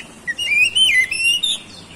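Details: Oriental magpie-robin song used to provoke other magpie-robins into singing: a continuous warbled whistled phrase, wavering up and down in pitch for about a second and a half, against a faint hiss.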